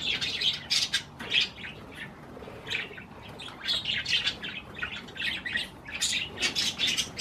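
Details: Pet budgerigars eating cherry tomatoes, giving rapid bright chirps and short warbling notes in quick irregular bursts, with brief pauses between flurries and no other clear sounds.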